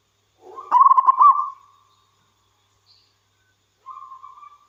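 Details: Singing wild local zebra dove: a low murmur rises into a loud, quick-fire bubbling phrase that ends in a drawn coo, followed after a gap by a quieter, level coo.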